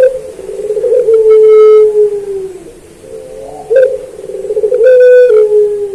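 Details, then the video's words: Puter pelung dove singing in a master training recording: loud, prolonged low coos that drift downward, each begun by a sharp accent, with a brief dip of quiet between phrases. "Masteran Puter Pelung Manggung Atau Berbunyi"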